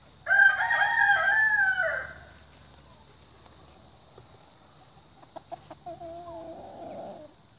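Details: Rooster gives a loud, hoarse crow of about one and a half seconds, then quiet knocks and a softer second crow from a more distant bird toward the end.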